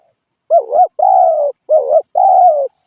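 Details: Spotted dove cooing: two paired phrases, each a short wavering coo followed by a longer, steady, slightly falling coo, low and mellow, with clean silence around them.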